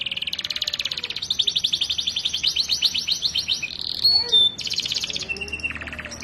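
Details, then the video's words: Canary master recording for training, a bird already in full song: long runs of rapid high rattling trills, a brief bright whistled note, then further buzzy trill phrases continuing without break. "Masteran Burung Kenari Bahan Sudah Gacor dan Durasi Panjang"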